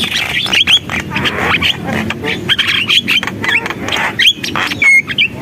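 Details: Javan myna chattering in gacor song: scratchy, buzzy bursts and short squawks delivered irregularly, broken by a few sharp whistled notes toward the end.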